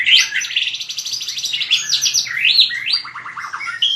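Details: White-rumped shama in fighting song: rapid rattling trills sweeping up and down, then descending whistled slurs and a final high whistle, loud and continuous.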